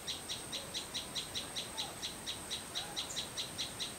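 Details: Clear, cheerful sunbird song in a garden behind a house: high, pure chip notes repeated quickly and evenly, about ten in four seconds, over a steady faint whine and soft low background noise.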